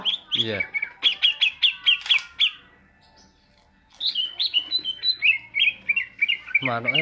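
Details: Greater green leafbird singing in the ngentrok style: a run of bright, rapid repeated chirps, a pause, then another string of quick downslurred whistled notes, with a low harsh squawk at the start and end.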